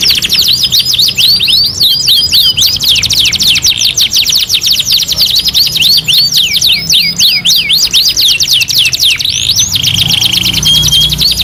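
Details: Two-in-one canary master song: a long, energetic run of rapid looping whistles and tight trills, repeated about four times a second, ending in a softer steady high note.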